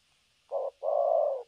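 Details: Spotted dove kept as a trapping decoy, a new bird on test dated 3/12/2022, cooing thổ cấn sấm nước style: a single phrase of one short hollow note, a brief gap, then a longer steady coo.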